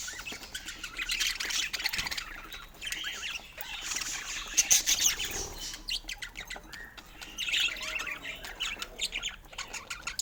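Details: Budgies chatter continuously, a busy mix of rapid high chirps, clicks and warbles, loudness rising and falling with several caller notes overlapping.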